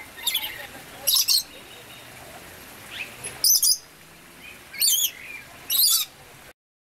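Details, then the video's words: Red lories from the Moluccas and nearby Indonesian islands let out grating, wavering screeches about once a second, with short pauses between the bursts and a softer squawk midway; quiet natural background. "Red Lorikeets"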